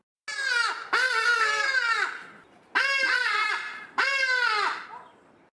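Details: Hadeda ibis (Bostrychia hagedash), a common Eastern Cape bird in South Africa, giving three loud, harsh, nasal, drawn-out braying cries with falling ends, about a second apart.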